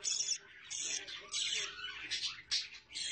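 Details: Budgies with chicks make separate bursts of harsh, high squawks and chirps with short silences between them, plus a faint low hum.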